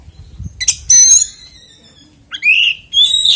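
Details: Oriental magpie-robin as a song lure for other magpie-robins, giving a low thump, a harsh buzzy note, a pause, then two loud rising whistled phrases.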